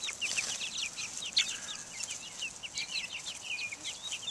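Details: Many Buff Orpington, Black Australorp and Americana chicks outdoors in the open air in 2010, giving a steady chorus of high, short, slightly falling peeps that overlap continuously with no pause.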